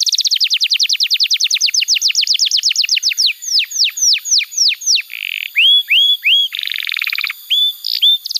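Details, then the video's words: Full song of a canary, played to train young birds and to get silent ones singing again: a quick series of sharp downslurred notes slowing into looping whistles, followed by a buzzy rattle and clear rising notes. "Pancingan Suara Kenari Gacor‼️ Ampuh untuk Masteran Kenari Muda dan Terapi Kenari Macet Bunyi"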